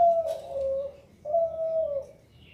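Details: Zebra dove giving two long, smooth, low coos, each gently sliding downward at the end, separated by a short pause.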